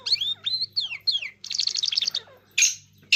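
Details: Irani king jal singing: a quick run of clear, whistled notes that slur up and down, then a fast buzzy rattle of repeated high notes and a few sharp chips at the end.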